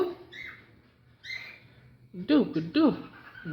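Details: Alexandrine parakeet talking: two soft, breathy rising voiced sounds, then a pair of loud, harsh, strongly modulated squawk-like syllables about half a second apart, in a quiet room.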